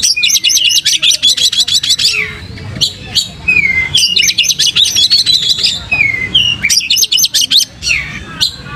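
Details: Oriental magpie-robin (kacer) in vigorous gacor song, tail open, a pancing lure: three rapid trills of high clicking notes, each followed by falling whistles and scattered chirps, in a quiet setting.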